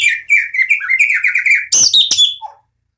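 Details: White-rumped shama from a champion bloodline, kept caged, in prolific song: fast continuous warbling of varied whistled notes, ending in loud rasping bursts and a short lower whistle.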